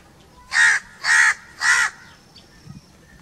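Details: A crow calls three times in a quick, even series of raspy caws, followed by quiet with faint low knocks.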